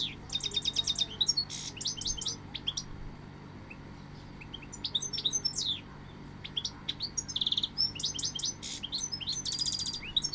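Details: Goldfinch singing: rapid twittering phrases of high chirps, trills and buzzy notes, broken by short pauses, with a faint steady low hum underneath.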